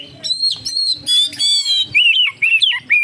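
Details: Oriental magpie-robin song meant to draw other magpie-robins into singing: bright whistled notes repeated about twice a second, rich sustained tones followed by shorter wavering slurs.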